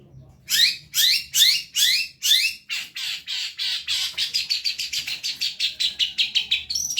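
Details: Long-tailed shrike song for teaching other songbirds: several loud, rasping upswept notes, then quickening to a fast chattering series of shorter scratchy notes that speed up toward the end.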